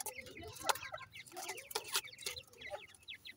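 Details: Pheasant chicks feeding, giving quick high downward-slurred peeps repeated in short runs over soft pecking and tapping clicks.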